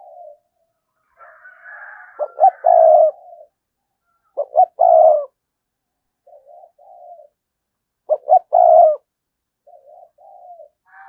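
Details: Decoy spotted dove gives a provoking coo pattern about every three seconds: soft lead-in notes, then a stuttered pair of short notes and a loud, rounded final coo.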